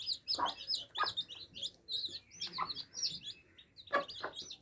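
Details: Baby chicks sipping water, giving bright, rapid, slightly rising peeps in a busy chorus, with several dull knocks spaced through the clip.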